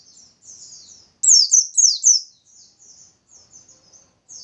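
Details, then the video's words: White-eye song used as a lure to set other white-eyes singing: soft high twittering, then four loud, sharply falling whistled slurs in quick succession, trailing into faint chatter. "Pancingan Pleci Biar Cepat Nembak"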